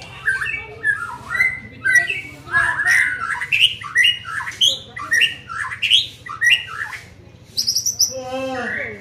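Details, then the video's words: White-rumped shama, young and in training, delivers a long sequence of loud looping whistles and slurred phrases about every half second, ending with a high buzzy note and a faint rattle, over a steady hum. "Melatih Mental Murai muda"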